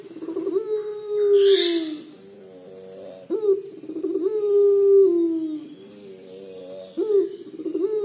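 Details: Collared dove (puter pelung) giving its 'crying' call: a sharp rising note, then a long, low, harmonic-rich coo that slowly falls, repeated about every three and a half seconds, with a brief hiss near the start.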